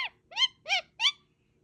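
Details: Parrot chirping: four short, bright, harmonic chirps, each rising then falling, spaced about a third of a second apart, in a quiet setting.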